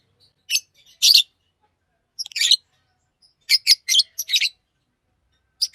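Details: Green Fisher lovebird, a pet, trilling and chirping in short harsh bursts, several notes clustered together with brief pauses between groups, all high and scratchy.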